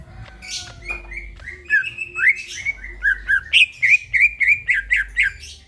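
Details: A greater green leafbird's vigorous nighttime song: opening with soft thin whistles, building into a rapid series of about a dozen loud, rising chirps.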